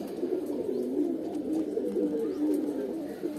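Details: Several teddy pigeons, Pakistani birds of Dubai breed, in a loft coo at once, producing a low, steady, overlapping murmur of soft rolling notes that never pauses, with a faint indoor echo.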